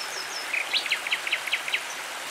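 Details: Nightingale singing near a tranquil stream: a short burst of about seven rapid, rising high notes in quick succession over a steady rushing of water.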